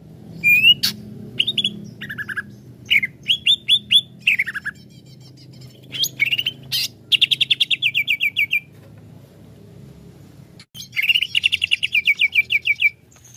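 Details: Greater green leafbird (Chloropsis sonnerati) pours out bursts of bright, high whistles and rapid chattering trills, one run of about a dozen quick repeated notes, over a faint low hum; song used to provoke other leafbirds into excitement.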